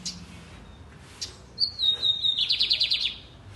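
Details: A captive lined seedeater in Brazil sings loud and deep: a high, slightly falling whistle, then a fast buzzy trill of about a dozen rapid notes, preceded by faint chirps.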